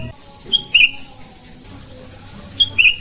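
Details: Sooty-headed bulbul calling in the morning: two brief bursts of short, bright, clipped notes, each a quick pair or trio, separated by about two seconds of quiet with faint low background hum.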